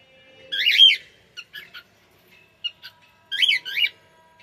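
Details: Harsh, loud screeches from a cockatiel open and close the passage, with a few short, softer chirps in between and silence around them.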